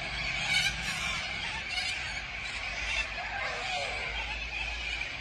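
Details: Large flock of corellas at Tocumwal beside the Murray, their overlapping harsh squawks blending into a steady rasping roar that never lets up.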